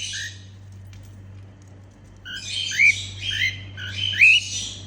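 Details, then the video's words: Female cockatiel singing and making happy sounds: a short chirp, a pause, then a run of rising whistled notes and rough harsh chatter, over a faint low hum. "Female cockatiel singing & making happy sounds"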